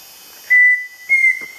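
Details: Pheasant cuckoo (Dromococcyx phasianellus) singing along Pipeline Road, Gamboa region, Panama. It gives two clear, pure whistles, the second slightly higher and ending in a faint quaver, against a quiet background.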